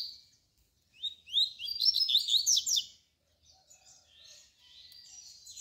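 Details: A double-collared seedeater (tui-tui song type) sings to teach its chicks: a quick, high phrase of bright twittering notes for about two seconds, followed by softer, scratchier warbling.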